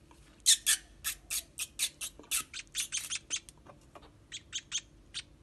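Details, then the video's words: Baby sparrows being fed give harsh, scratchy squawking chirps in an uneven burst, louder at first then thinning into spaced, softer calls. "Cara Memberi Makan Anak Burung Pipit"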